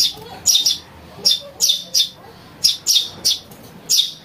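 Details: Young house sparrow calling, a recording played to lure birds: short rasping chirps in loose pairs and singles, irregularly spaced about once a second, over a quiet low murmur.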